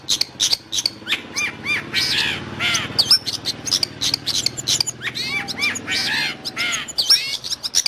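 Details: Long-tailed shrike song for training pet birds or luring wild birds: harsh chattering and arching squeaky notes in irregular bursts over a steady low hum.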